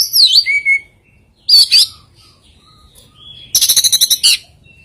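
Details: An oriental magpie-robin sings an unusual song with rare fill phrases: clear descending whistles, a harsh buzzy burst, then a rapid series of about eight sharp, ringing repeated notes.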